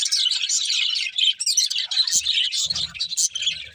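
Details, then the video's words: Budgerigars, plural, singing happily as they eat: busy, overlapping high chirping and scratchy warbles, briefly thinning out near the middle, while soft low knocks sound toward the end. "Happy Budgies Singing and Eating | Love Birds Chirping Sounds"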